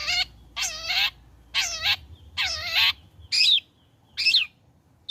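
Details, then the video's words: Long-tailed shrike after moulting, singing actively as a lure to get others to sing: drawn-out, buzzing, grating notes with wavering overtones, about once per second, ending with two shorter, sharper downslurred calls. "Burung Cendet Gacor Selepas trotol PANCINGAN CENDET AGAR BUNYI"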